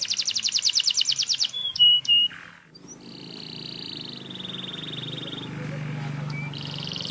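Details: Canary singing in semi wiper style, opening with a fast buzzy trill and short chips, then a gap followed by long level whistled tones stepping down in pitch, with low rumbling background noise.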